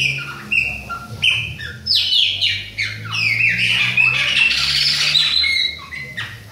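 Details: Chopi blackbird song, Bahia type, from an adult and a young bird: clear whistled notes that step between pitches, then a louder run of bright, buzzy high phrases, over a low background hum.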